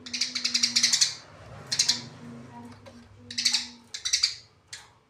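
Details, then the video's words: Sparrows fighting: bursts of rapid, sharp high chirps in quick runs, repeated four times with short gaps, over a low steady hum indoors. "burung Greja tarung"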